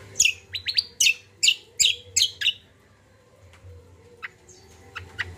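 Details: Common iora in lively song, used as therapy for untrained birds: a quick string of bright chirps and short rising slurs for over two seconds, then sparse faint notes over a low background hum.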